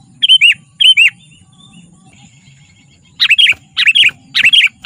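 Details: Lively sooty-headed bulbul used as a lure for wild bulbuls and as a training tutor: two pairs of warbled, down-slurred whistles, then after a gap a quicker series of three bubbly phrases.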